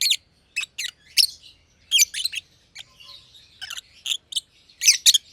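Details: A pair of green and green pied personata lovebirds playing in their aviary give scattered, sharp, squeaky chirps. The bright notes come singly or in doubles, with a faint chattering murmur between them.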